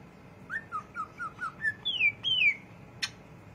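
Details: Greater green leafbird chattering: six or seven short, clear whistled notes in quick even succession, then two longer, louder whistles sweeping downward, and a final sharp tick.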